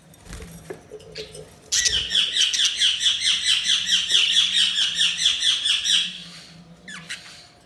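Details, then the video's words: Budgerigar chirping: a rapid, regular run of bright warbled notes lasting about four seconds, roughly two notes per second, framed by softer scattered chirps and a low hum. "Budgies Sounds| Budgies Chirping sound"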